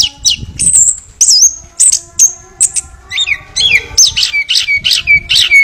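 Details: A Chestnut-capped Thrush (Geokichla interpres) sings a quick string of high, sweet whistled notes and slurred chirps, about two a second, over a faint low background rumble.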